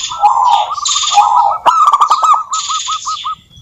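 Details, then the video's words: Local zebra doves in song, meant to set other doves singing: rolling coo phrases ending in a run of evenly spaced, curled notes, accompanied by a harsh, higher chattering from another bird. "suara burung perkutut lokal gacor COCOK untuk pancingan perkutut agar bunyi"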